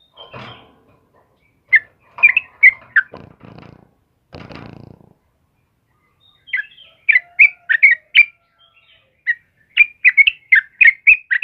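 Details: In the morning, a sooty-headed bulbul sings in full voice; scattered chirps and rough scraping noises open the recording, then a quick, uneven series of sharp, bright chirped notes follows.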